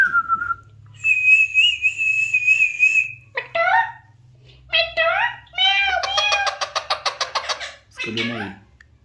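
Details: Talking Alexandrine parakeet produces a long, steady, high whistle, then clipped harmonic meow-like syllables and a rattling, rapidly pulsed phrase, ending with a low nasal call over faint hum.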